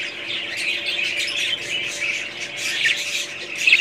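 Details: Steady chatter from several budgerigars: overlapping scratchy warbles and chirps, with a sharper, louder squawk at the very end.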